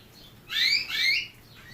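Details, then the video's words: Brief canary phrase of two bright rising chirps in quick succession, clear and close, with near silence around them. "Bird motivator sounds the basics of canary birds' singing"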